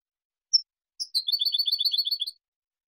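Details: A Spanish European goldfinch sings clean song meant for training juveniles and competitions: a single high note, then a fast, tinkling run of liquid twittering notes lasting over a second.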